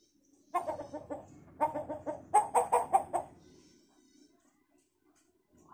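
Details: Hill myna imitating chicken sounds: a run of short, clucking notes in two bursts, then a faster series of louder, evenly spaced clucks, ending in quiet.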